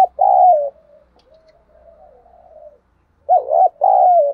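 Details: Captive decoy spotted dove calling to provoke wild doves, recorded directly from the keeper's bird: two loud, mellow, slightly wavering coos, a long soft murmured phrase, then two more strong coos with a pause between. No other sounds.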